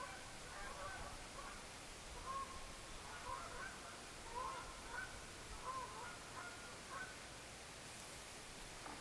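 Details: Canada geese calling at night under a blood red moon during the lunar eclipse of September 27, 2015; faint, short honks come about six times, roughly a second apart, over a steady background hiss.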